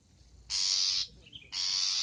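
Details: Long-tailed shrike on a tutor recording for training cage birds, full of fill-in song and lively; two loud harsh rasping bursts, each about half a second, separated by a quiet gap with a faint chirp.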